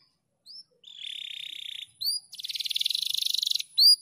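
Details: Canary song used as a master recording for training other canaries, in a fast, dense style: short high upslurred whistles, then a buzzy sustained trill, then a rapid rattling trill, ending with bright rising notes.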